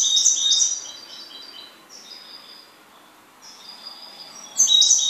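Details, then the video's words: Goldfinch song in bright, high, tinkling phrases. A loud burst of twittering opens the clip, softer liquid trills follow, and a strong buzzy flourish closes it. "MI JILGUERO EL OMAITA"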